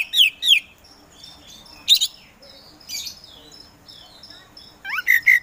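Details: Kacer poci, an Oriental magpie-robin kept for songbird contests, singing in scattered bursts: sharp downslurred whistles, brief buzzy notes separated by quiet gaps, ending with a rising whistle and clear repeated notes.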